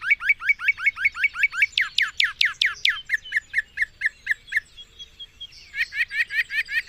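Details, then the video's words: Mockingbird (cenzontle) song: a rapid run of identical chirps, then louder sweeping notes. The bird shifts to a different repeated note, pauses briefly, then starts a new quick series. Each phrase is repeated several times before changing. "El Hermoso canto del Cenzontle"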